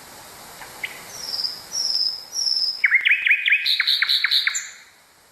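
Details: Common nightingale song used to tutor canaries: two soft notes, then three high sustained whistles, and a quick rattling trill of repeated notes with a parallel higher series. Steady background hiss throughout.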